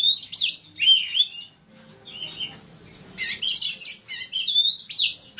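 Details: Winning poci Oriental magpie-robin, ngobra style, recorded as a master for song contests: high whistled and warbled phrases, a brief quiet pause, then a rapid, loud stream of squeaky, buzzy notes.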